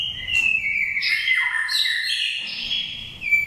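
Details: Oriental magpie-robin from Daklak, raised from the nest, five moults, giving wild-style lure song: dense, loud warbling phrases sliding up and down, rich and continuous with a short break near the end.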